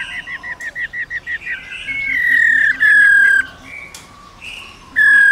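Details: Long 'ro ro' song of a female black-throated laughingthrush, used to excite males into singing: a quick run of short whistled notes, then loud, clear, slightly descending drawn-out whistles separated by brief pauses.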